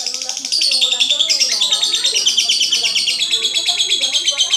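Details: Lovebird producing a loud, rapid twittering song of piercing, buzzy notes in quick regular pulses, sustained throughout.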